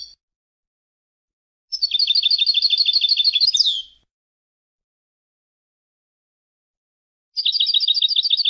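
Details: European goldfinch from Palestine singing: a fast, even, high trill of paired notes lasting about two seconds and ending in a sharp downslurred note, then silence before another quick trill begins.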